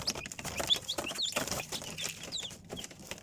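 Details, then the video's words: Sparse, shrill chick peeps sliding downward, irregularly spaced over a busy background of tapping, scratching and rustling. "Цыплята / chickens"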